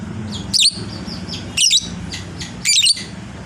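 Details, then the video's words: Lovebird of the fighter kind prized for long ngekek chatter, sounding three loud shrill squeaky bursts about once a second, with softer high chirps between and low hum behind. "suara burung lovebird"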